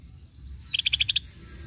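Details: Scaly-breasted bulbul played as a lure: a brief rapid string of seven sharp high pips at an even pace, with faint low rumble behind.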